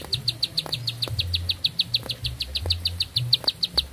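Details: Energetic bar-winged prinia song, a continuous chain of short piercing notes pulsing about seven times a second, backed by faint low hum and occasional clicks.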